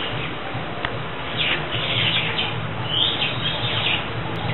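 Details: Senegal coucal chicks about a month old, hand-raised after their nest was destroyed at three days old; thin high squeaky chirps come in a loose cluster through the middle, over a steady low hum.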